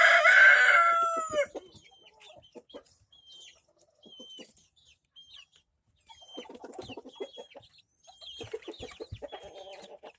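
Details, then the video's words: Rhode Island Red chicks, bought in April and recorded on May 13, 2024, give short, high, thin peeps that slide downward, repeated irregularly. A loud, harmonic, drawn-out cry opens the recording, and soft rustling and scratching run beneath the peeps. "Rhode Island Red Chicks"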